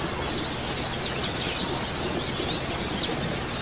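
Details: White-eyes of both sexes in a colony, a therapy sound for getting birds to sing, keep up a steady high twitter with a few sharp, bright squeaks standing out.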